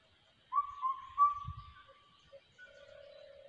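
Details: A crested hawk-eagle chick, recorded in ATR forest, gives one long, steady whistle that opens with a quick upward slide. Faint shorter whistles follow, along with a brief low thump.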